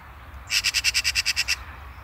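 A Eurasian magpie gives a harsh, rattling chatter of about ten rapid, scratchy notes in one second, over faint background hum.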